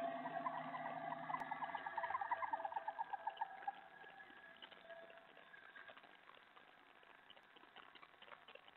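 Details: Female owl giving a dinner call at 1:20 AM on 8 February 2017 over a gopher her mate brought earlier: rapid, pulsed, nasal trilling for about four seconds, then fading into soft background hiss.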